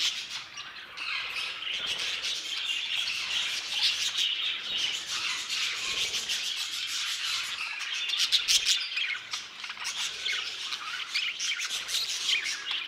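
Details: Aviary budgerigar flock keeping up a steady, dense warbling chatter, high chirps and buzzy twitters overlapping throughout, briefly louder midway.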